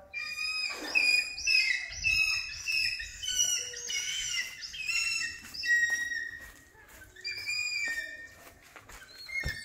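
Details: Hawk-eagle during training calling almost continuously: dense, shrill whistled squeals and chirps, irregularly repeated, over a light background of outdoor noise and a few thuds.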